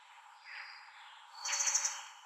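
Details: An Asian brown flycatcher calling at length, possibly for travel companions: a quick burst of thin, very high ticking notes after a softer, hissy lead-in; another may answer later.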